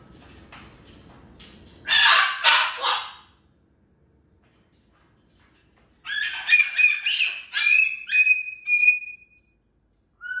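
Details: Excited pet cockatoo indoors gives two harsh, broad squawks, falls silent, then breaks into a fast series of rasping, whistled calls with a ringing tone.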